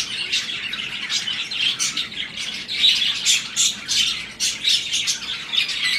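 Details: Budgerigars, breeding pairs mating during the breeding season, keep up a dense stream of high, scratchy chirps and warbles, with bursts of sharp squawks rising and falling every fraction of a second.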